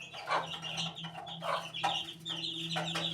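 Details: Young chicken chicks, eighteen days old, cheep in smeared, overlapping high chirps over a constant low electrical hum, with a few louder knocking sounds.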